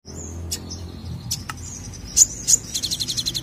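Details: Olive-backed sunbird (sogon) singing in gacor nembak style: thin high whistles and sharp chips, ending in a fast buzzy trill of repeated notes; faint low background hum.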